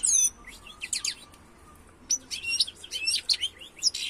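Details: European goldfinch (Carduelis carduelis) singing: bursts of bright, high twittering notes and liquid trills, a sharp opening flourish, a short quiet pause, then a busier run of chirps and tinkling phrases.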